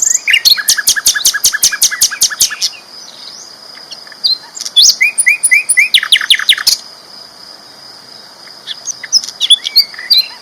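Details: Loud flycatcher song meant as a tutor for champion songbirds: long runs of rapid repeated chips in bursts, separated by pauses, with a faint steady high tone behind.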